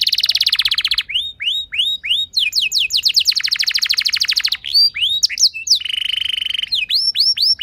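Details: Canary song played to trigger other canaries into singing, mixing buzzy trills, strings of looping whistled notes and a rapid rattling roll in bursts.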